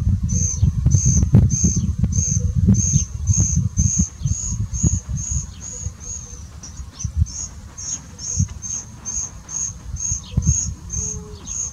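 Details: Common cuckoo chick raised in a woodchat shrike nest after its mother parasitized it, begging while the foster parent feeds it; thin, high piercing notes repeat steadily about twice a second over a low wind rumble.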